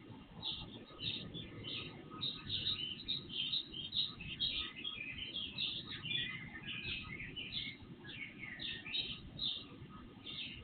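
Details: Early-morning chorus of birds that start singing before sunrise, recorded on an IP surveillance camera; busy, continuous high twittering and chirps throughout, over a faint steady hum.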